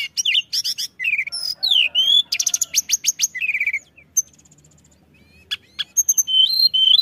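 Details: Pied bushchat in full song, used as a lure for other birds; dense bursts of buzzy chirps and slurred whistles, then a near-silent gap and a few clear rising notes.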